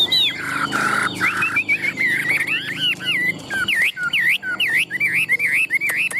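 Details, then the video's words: Caged Chinese hwamei, a tame competition-singing bird, in Vietnam; varied whistled song of looping V-shaped notes, repeated rhythmically and rising and falling, over faint background hum. "Họa mi thuần đét, Bộ to - Đấu hót rất tốt"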